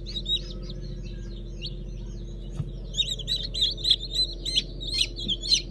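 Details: Fresh hatch of Brahma, Fizan and Habeş chicks dated 15 June 2019; overlapping high piping cheeps, sparse at first, growing louder and denser in the second half, with a constant low drone beneath.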